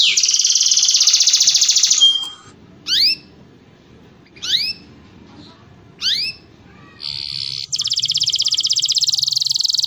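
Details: Canary in mating song, played to stimulate other canaries: a loud dense buzzy trill, three sharp rising whistled sweeps spaced about 1.5 seconds apart, then another long intense rolling trill.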